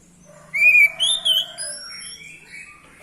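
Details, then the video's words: Orange-headed thrush song used to stimulate males into singing: a few loud whistled phrases, the first rising then falling, followed by softer trailing notes over a faint low hum. "Gunakan video ini untuk memancing birahi AM jantan, AM macet/malas bunyi langsung gacor"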